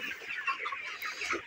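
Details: Broiler chickens, 29 days old, in a poultry farm shed: a dense, continuous chatter of overlapping short cheeps and clucks from many birds, with no pauses across the brief stretch.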